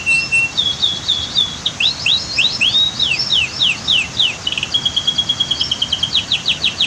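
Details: Canary singing outdoors near a waterfall and dam: a high tone opens into fast repeated sweeping notes, then steady trills and a quick rhythmic burst of clicks at the close, with faint background hiss.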